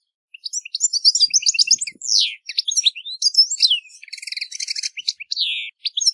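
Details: European goldfinch song in nature, a fast, varied stream of bright twittering and chattering notes, with a rising-and-falling slurred whistle, a brief buzzy trill and a descending whistled note.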